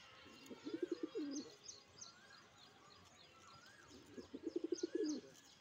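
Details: Male fantail pigeon cooing in full masthi: two bursts of rapid, low pulsed coos, each closing with a drawn-out coo, the first near the start and the second about four seconds in. Faint higher chirps from other birds run throughout.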